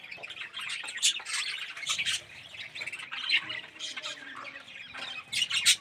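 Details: Colony of budgerigars, including red-eyed and yellow birds, kept in an aviary; many birds chatter at once with harsh squawks and bright chirps overlapping in dense bursts, loudest near the start and end.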